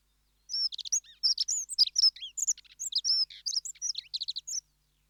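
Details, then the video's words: A single Dunnock song of about four seconds: a hurried, high, jingling warble of thin squeaky notes, some slurred up and down, delivered without pause against a clean, quiet background. "Dunnock (Prunella modularis) Sound Effect"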